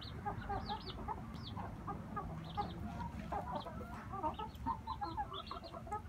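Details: Several inbred male red junglefowl, brothers, murmuring low clucks in loose series, over a constant low rumbling background with faint higher chirps.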